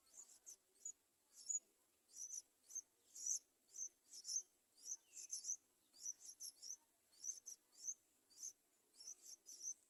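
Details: Yellow-vented bulbul young begging as the adults try to feed them: soft, very high, thin squeaky notes in quick clusters, repeated steadily nearly twice a second.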